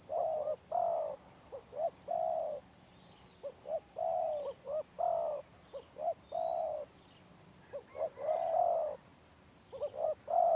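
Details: Contest singing of a stuttering-style village spotted dove: rapid stammered coos running into long soft purrs, repeated steadily throughout, with faint distant bird whistles and a constant electronic whine.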